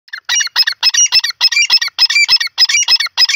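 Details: Grey francolin (teetar) calling: loud, harsh, squeaky notes delivered in quick bursts, often paired, about ten bursts in three and a half seconds, with no other clear sounds.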